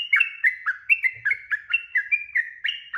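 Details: Yellow-vented bulbul singing energetically, a lure song meant to draw answers from other birds: short bright whistled phrases, each a quick upward or downward slur, delivered in a rapid, chattering sequence.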